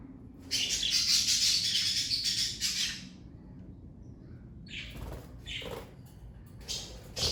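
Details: Pet budgerigars from a parakeet family chatter in a dense, high, buzzy warble for about two and a half seconds, then give scattered short chirps after a pause, over a faint low hum.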